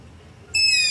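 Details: Long-eared owl begging call at night near a house, Zoom H5 with LOM Usi Pro mics: after a brief quiet pause, a single loud, shrill, squeaking note bursts in and holds steady.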